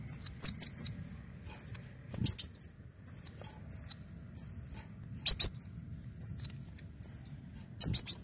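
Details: Leafbird song used as a lure, a series of high, downward-sliding whistles mixed with quick clusters of sharp chips, spaced roughly every second.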